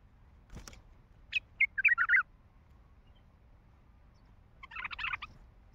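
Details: Heavy-throated wild Baghdadi bulbul sings two bursts: a sharp click, then a rapid run of rich, bubbling notes, and after a pause, a denser chattering warble.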